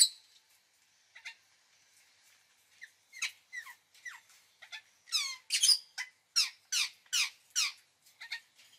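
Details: Indian ringneck parakeet calling: a few scattered squeaks, then a run of loud harsh squawks repeated about twice a second, each a broad shrill burst with downward-sweeping tails.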